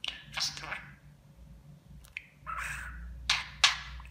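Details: Pet budgerigar indoors, mimicking Turkish words and endearments such as "cici kuş" and "aşkım". Scratchy, high, buzzy syllables come in short bursts with brief pauses and sharp clicks, over a faint low indoor hum.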